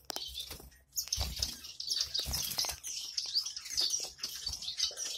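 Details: Double-barred finch chicks that have just left the nest give a dense, continuous chatter of thin, high chirps, with soft wing flutters and bumps underneath.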